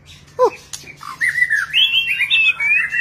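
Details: White-rumped shama in display, singing many different notes: a brief low downward-curving call, a sharp click, then a run of bright whistled phrases stepping upward and wavering.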